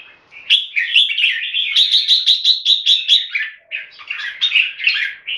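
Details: Caged red-whiskered bulbuls from Singapore in a singing contest: a clear series of about a dozen evenly spaced, bright repeated notes, followed by tumbling, varied warbled phrases.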